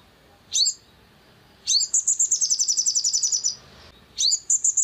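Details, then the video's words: Long-tailed shrike used as a provocation to stir birds into song. A short harsh note comes first, then a long fast run of rasping, high chattered notes lasting nearly two seconds, then another burst begins. "PANCINGAN EMOSI SOGON AGAR GACOR"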